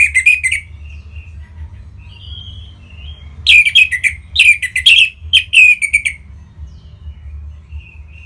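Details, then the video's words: Song of an orange-headed thrush intended to spur other birds to sing: a brief bright phrase, soft scattered whistles, then a long loud burst of rapid, rich, slurred notes before quiet whistling returns. Faint hum beneath. "Punglor Merah Lagi Berkicau.. Untuk Pancingan Bunyi"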